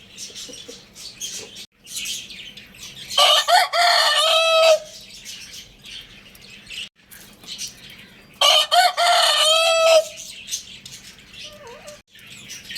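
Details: Two crows from a Lohmann Brown rooster about five seconds apart, each a rough stuttering start running into a prolonged ringing note. A short squeak follows near the end, with constant high chirping of small birds.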